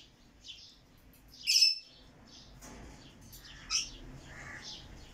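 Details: Rainbow lorikeet, locally called red malcund lorikeet, with a loud shrill screech, a later shorter squeak and faint high chirps between.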